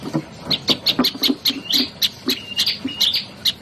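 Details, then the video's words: Olive-backed tailorbird song of quick, bright chirps in rapid succession, with a few brief flat whistled notes mixed in and faint low thumps underneath. "KICAUAN SI MUNGIL PRENJAK LUMUT"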